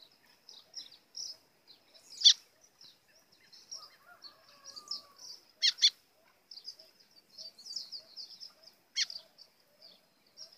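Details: White-throated seedeater singing an azulão-style song, with a call used to provoke birds: thin, high, chattering warbled phrases at a steady pitch, broken by loud sharp clicks, with a faint lower sliding whistle near the middle.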